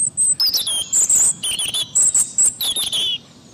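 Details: Loud, close European robin, a British bird, delivering a continuous string of high, sweet, warbled phrases with sliding whistles and quick twitters, separated by tiny pauses, over a quiet background.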